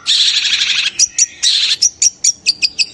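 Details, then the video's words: Long-tailed shrike scream, said to rouse other shrikes: two long buzzy rasps, each followed by sharp high chips in quick succession. "Cendet teriakannya bisa bikin cendet lain emosi birahi dan langsung gacor seketika"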